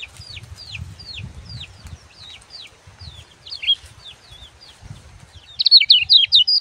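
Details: Lemon-bellied white-eye song for training young birds: spaced, falling high whistled notes about twice a second over a low rumbling background, closing with a loud burst of fast twittering.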